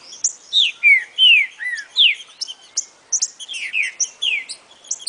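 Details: Green-winged saltator, 'boca mole' song style used to train a young bird: a rich run of downslurred whistled notes and bright chirps, delivered quickly and unevenly without a pause.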